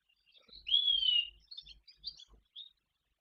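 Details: Barn swallow near its nest in Guangdong, China, in spring, during nest building for the breeding season. One clear whistled note curves up and then down, surrounded by faint scattered high chirps, with soft low thumps underneath.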